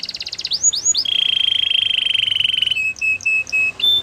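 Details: Singing canary giving a buzzy trill and two quick upswept notes, then a long rapid rolling trill lasting nearly two seconds, followed by short level whistled notes repeated at a steady pace.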